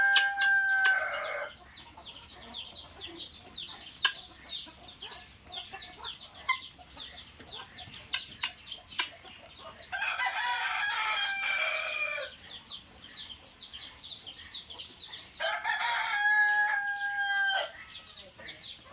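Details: Helmeted guineafowl at feeding time in Assam give harsh, rattling chatter in loud bursts, with a few clear whistled notes among them.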